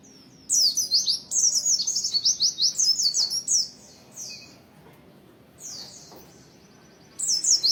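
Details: Oriental white-eye in dense, rapid song: very high, thin chattering notes in quick bursts, pausing briefly and then resuming, over a faint low background hum.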